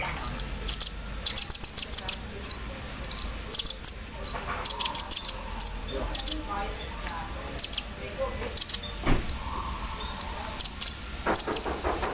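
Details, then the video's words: Javan sunbird set out in the morning dew, delivering a vigorous embroidery-machine style song: clusters of sharp, very high chirps and quick trills in fast bursts, with faint voices behind. "KOLIBRI NINJA GACOR KELUAR ISIAN MESIN BORDIR"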